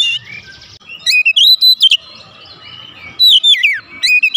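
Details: Agitated Oriental magpie-robin (kacer) delivering isian filler song: a run of sharp, upward-flicking whistles, a quieter pause, then another bright descending phrase.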